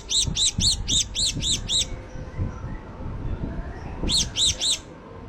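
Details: Java sparrow 'tembakan' calling: a quick run of about seven bright, arched, high chirps, a pause with soft background noise, then three more in the same rhythm.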